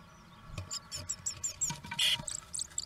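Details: Pair of pet birds singing sweetly to each other during a mating attempt, indoors: rapid series of thin high chirps and short whistled notes, with a brief louder harsh burst midway and soft low thumps underneath.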